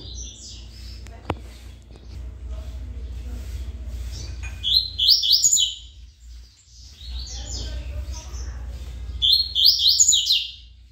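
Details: Double-collared seedeater (coleiro) singing in the tui-tui song style and described as a good singer: two bursts of quick, high, sharp chirping notes a few seconds apart, over a steady low rumbling hum.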